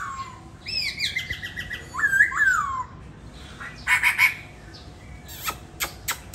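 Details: Captive laughingthrush from Hanoi, Vietnam: a strong whistled phrase that falls, then a twisting slurred whistle, followed by a brief burst of buzzy notes and a few sharp clicks.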